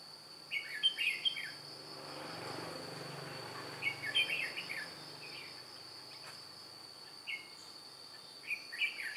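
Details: Decoy red-whiskered bulbul drawing in wild birds, 2 July 2018, delivers short bright chattering phrases every few seconds. A soft low rumble passes early and a continuous shrill insect note persists.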